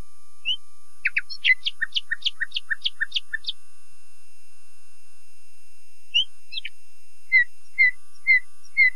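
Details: Common nightingale singing a quick rattling series of sharp notes, then after a pause a few isolated whistles and slow, evenly spaced slurred calls.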